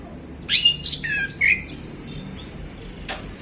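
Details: Male orange-headed thrush singing relaxed and open in the afternoon: loud whistled, slurred phrases with sweeping notes, then softer twittering and a final sharp note, over a faint low hum.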